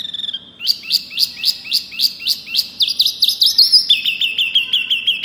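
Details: Pygmy cupwing singing loudly and persistently: rapid series of short, high, sharply rising chirps, about three per second, shifting partway into quicker buzzy notes and then a run of lower clipped chirps.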